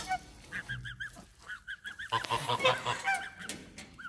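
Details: Several geese calling, nasal honks repeated in quick pairs and runs, overlapping into a noisy chorus in the second half.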